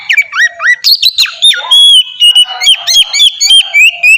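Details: Oriental magpie-robin singing in ngeplong style as a lure for other magpie-robins: rough squawky notes and quick slurs at first, then a run of clear sustained whistles mixed with chirps, about three to four notes a second.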